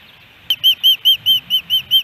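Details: At a Missoula, Montana nest in Hellgate Canyon on July 13, 2018, amid fish deliveries, an osprey gives eight loud, clear, whistled chirps in an even rhythm, about four each second, after a sharp click.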